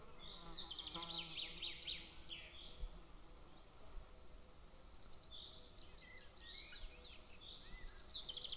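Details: Eaglet of a golden eagle at a nest near a military training ground, 22 June 2024, calling in two bouts of rapid high, slurred chirps separated by a quieter pause; faint lower murmuring and background hiss.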